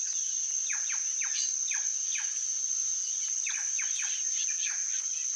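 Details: Plush-crested jay uttering clipped, falling whistles in two bursts separated by a brief lull, accompanied by a persistent piercing insect drone.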